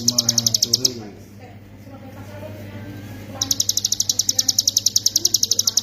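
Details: Hill prinia ngebren song for training songbirds: a quick series of high sharp notes breaks off after one second, a quiet gap follows, then the fast, insistent chipping returns and continues to the end.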